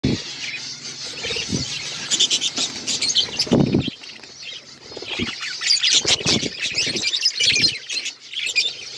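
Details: Pet budgerigars eating seeds, several birds together; dense high chirping and warbling chatter, broken by low bumps and rustles from feeding and wing movement.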